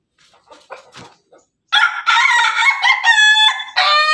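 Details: Pelung and Ketawa (laughing) chickens together: a few soft clucks and rustles, then a powerful, sustained rooster crow in linked segments, ending with clear, steady tones and a fresh burst at the end.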